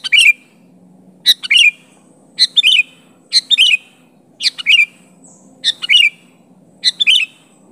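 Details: A sooty-headed bulbul calls out to confront a rival: crisp chirped phrases of two or three bright notes, the last slurring downward, repeated about every second, against a quiet low hum.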